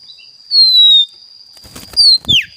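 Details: Oriental magpie-robin with a 'mystical' fill-in (isian) song, heard here as a long, clear, slightly falling whistle. A short burst of noise follows, then two quick downslurred whistles, all over a steady thin high-pitched tone.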